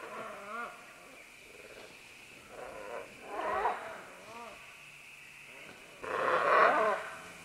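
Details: Several green-winged macaws descending along vines, giving wavering, nasal, rolling calls and rough grating squawks, with a loud harsh burst near the end; a constant high background drone.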